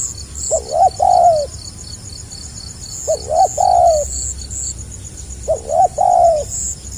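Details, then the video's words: Spotted dove (tekukur) giving the stuttering 'gagap' call style: three cooing phrases about every 2.5 seconds, each a quick stuttered double note followed by a longer drawn-out coo, with steady insect buzzing in the background. "SUARA BURUNG TEKUKUR GAGAP RAPAT SELANG NGUKU"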